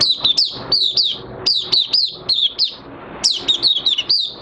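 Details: Caged Oriental white-eye in minor moult singing: rapid high twittered phrases of short sliding chirps, each dipping downward, run together in quick bursts with a brief pause midway.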